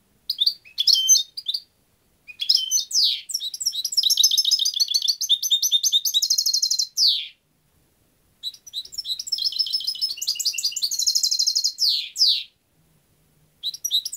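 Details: European goldfinch singing long tinkling, buzzy twittering phrases of rapid high notes lasting several seconds each, separated by brief pauses.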